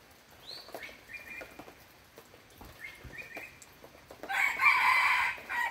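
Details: Red junglefowl giving a strong raspy crow at the end, preceded by several thin whistled notes that drop then level off, over light clicking background noise.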